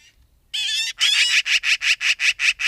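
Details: Magpie voicing a drawn-out nasal squawk followed by a fast harsh rattling chatter of about ten rasping notes, loud and close.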